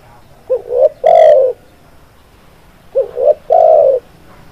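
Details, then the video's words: Tekukur, the spotted dove, sings two soft phrases: a short hooted pair rising in pitch followed by one long mellow coo that sags at the end, spaced about two and a half seconds apart. "Suara Burung Tekukur GACORR Anti MACET Bunyi"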